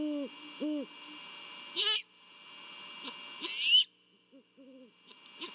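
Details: Great horned owls at their nest in Savannah just after midnight on Christmas Eve 2021: male and female trade deep, soft hooting runs in a mating duet, over a steady high insect drone and squeaky bursts.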